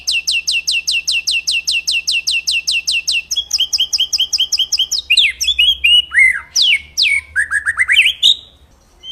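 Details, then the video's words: White-rumped shama song used as master training audio for birds: a rapid string of evenly repeated descending notes, followed by varied swooping whistles and sharp rising and falling phrases. "Audio suara burung master untuk murai batu"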